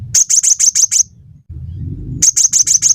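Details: Cinereous tit (gelatik batu) singing vigorously, recorded as tutor material for training songbirds: quick runs of six sharp, very high chirps, a brief pause with low hum, then another rapid burst of five high notes.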